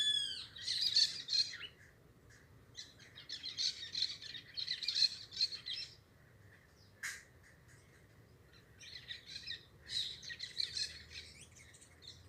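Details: Parakeets give harsh squawks and scratchy chatter in clustered bursts of one to two seconds, separated by quiet gaps, with one sharp click near seven seconds.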